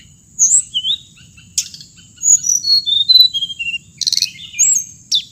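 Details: Hồng hạnh bird giving high twisting whistles and slurred notes that step downward, with a few sharp buzzy chirps, against a constant thin high whine.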